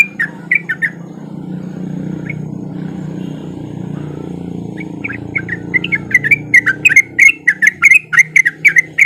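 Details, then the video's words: Sooty-headed bulbul singing as a lure to prompt silent bulbuls to join in: a few warbled notes, then a broad low rumble, then a fast run of bright chirping notes near the end. "Pancingan Trucuk Gacor Biar Trucuk yang Malas Bunyi jadi Ikutan Bunyi"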